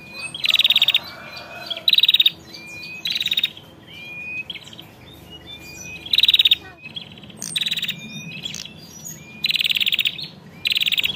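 Bar-winged prinia female giving loud, harsh buzzy bursts of about half a second, repeated every second or two, with thin whistled notes in between.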